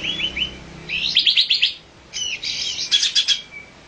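Olive-winged bulbul giving two bright, bubbly bursts of quick slurred whistles and chattering notes, each about a second long, over a faint low hum.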